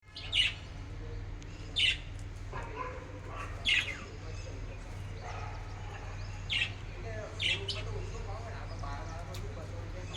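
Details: A budgerigar in the morning gives sharp, bright chirps in irregular bursts over a steady low indoor hum.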